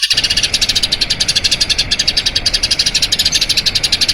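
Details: Eurasian tree sparrow giving a long rolling song used as tutor audio for training other birds: rapid, steady chirps repeated about nine times a second, bright and high, running without a break.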